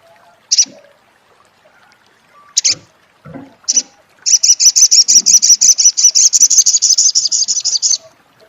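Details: Three sharp high chips, then a long fast trill of about thirty evenly repeated high, buzzy notes lasting nearly four seconds: the crecet chatter of an olive-backed sunbird, known locally as sogok ontong.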